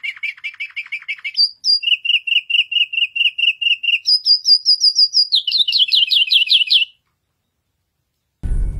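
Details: White canary in full song, moving through distinct trilled sections: fast buzzy notes, a steady mid-pitched rolling trill, a higher rapid trill, then descending slurred notes, followed by a pause and a low thump.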